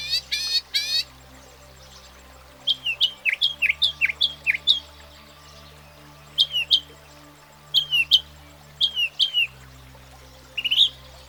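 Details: Northern Mockingbird, which can learn up to 200 different sounds over its lifetime, delivering scattered bursts of sharp, downslurred chip notes in groups of two to six, separated by pauses of a second or more.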